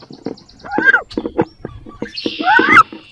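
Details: Female wood ducks battling inside a nest box, each wanting to lay eggs there; two upslurred squealing calls over knocks and rustling.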